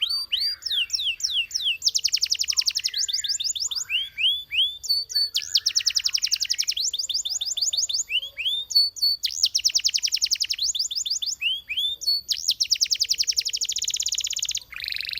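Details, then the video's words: Long continuous Belgian canary song alternating rapid rolling trills with bright downward sweeps and rising whistles, phrases changing every few seconds without pause. "The Sound Of The Belgian Canary Tempts Your Canary To Sing"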